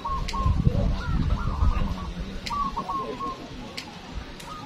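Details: Zebra doves at a local song contest in Windusari, Magelang, Central Java give soft, stuttering cooing phrases of quick, even notes in short bursts, over a low rumble and occasional clicks.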